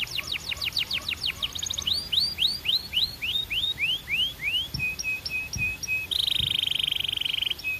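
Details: Belgian canary song: a run of quick falling whistled sweeps, then a series of rising slurred notes, a few short flat piping notes, and finally a rapid buzzy rolled trill held for over a second.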